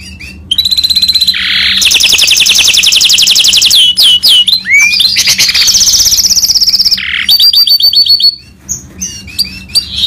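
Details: Full rolling song from a goldfinch mule of Himalayan finch type, nearly continuous: long rapid high trills and rattles, swooping slurred whistles and a second trill series, with a constant low hum in the background.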